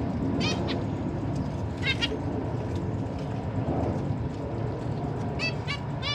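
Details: Caged zebra finch family with recently fledged young being fed by parents; scattered short nasal harmonic calls, a few closely spaced pairs, over loud low rumbling background noise.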